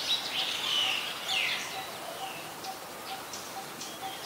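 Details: Oriental magpie-robin singing, a very common resident, in Ubon Ratchathani, Thailand, on 3 February 2023, recorded with a Nikon P1000: bright whistled phrases with sliding notes at the start, then fainter thin chirps from other birds over a steady background hiss.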